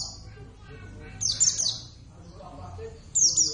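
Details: Pet Oriental white-eye of the Javan subspecies javanus, singing eagerly: two quick clusters of shrill, falling chirps, the first a rapid triple, about two seconds apart, with soft room noise beneath.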